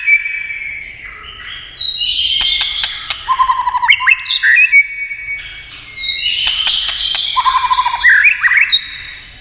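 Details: Tail-tapping clicks spur a White-rumped shama into two clear song bouts: long pure whistles followed by fast, varied warbles and slurred notes, with dry snapping clicks between phrases.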